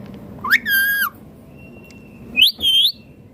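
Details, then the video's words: Green Indian ringneck parakeet talking, mimicking speech: two short, harmonic-rich utterances about two seconds apart, each rising sharply then holding a level, slightly wavering tone, with a faint steady whine between them. "Indian ringneck green parrot talking clearly sounds/voices"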